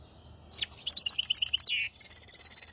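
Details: Hybrid finch singing a tutor song in the styles called maestro, hafada and widani, meant to teach goldfinches and canaries: after a quiet start, rapid high twittering notes and a descending slur, then a steady buzzy trill of repeated pulses.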